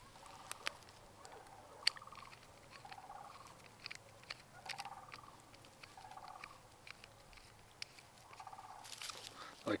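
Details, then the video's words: A Sandhill Crane gives rolling, rattling bugles, about seven short calls over ten seconds, faint in the background outdoors while someone sets up a radio antenna, with metallic clanks and handling noise nearby. "That would be a Sandhill Crane. Gorgeous very vocal birds."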